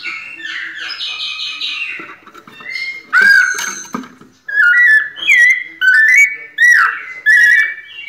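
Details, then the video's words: Pianado singing by a kept White-necked thrush: a soft warbling start, then a series of loud clear whistled phrases, some sliding upward, spaced less than a second apart. "Sabiá coleira "Sol" nunca vi pianado tão perfeito!"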